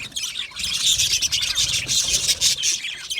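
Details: Happy budgerigars in a colony: a short burst of bright, densely packed chirps and whistles rising to full loudness after a brief quieter start, with a faint low murmur below.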